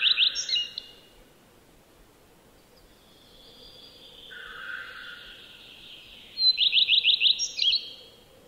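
Common redstart singing two short, high phrases, each a quick run of bright, repeated twittering notes ending in a jumble. Fainter distant birdsong fills the gap between them.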